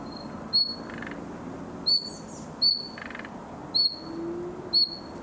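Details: Young common nightingale singing in summer as it tries out its song: clipped high whistles at uneven intervals of about one second, with faint rasping buzzes between some notes over a quiet background hiss.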